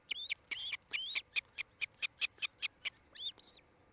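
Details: Osprey at the nest in Charlo, Montana, on a nest camera, 8 July 2018, between 5 and 6 pm: rapid, evenly spaced run of sharp high chirps, about five per second, opening and closing with slurred, rising whistles.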